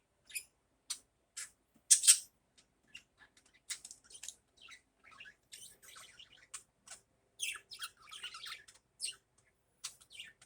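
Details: Pet budgerigars in the morning, giving scattered high chirps and soft warbling chatter, with a few louder sharp calls near the start and busier twittering toward the end.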